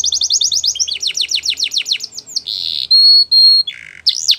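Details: Belgian canary song with quick descending whistled notes, shifting into long steady high tones and a lower buzzy phrase, all clear and loud.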